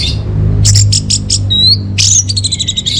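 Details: Orange-headed thrush song meant to lure and tutor caged birds: a run of short high chirps, then a thin rising whistle and a burst of rapid bright notes, over a low rumble.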